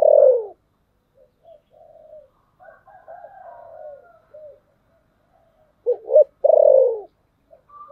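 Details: Spotted dove used as a lure bird, in the deep 'thổ sấm' voice style of lure cooing: loud, low descending coos at start and end, with softer broken coo phrases between.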